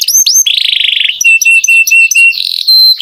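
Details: Canary song with two sweeping whistles, a rolling buzzy trill, then clear flat whistled notes repeated in a steady rhythm alternating with short rapid trills.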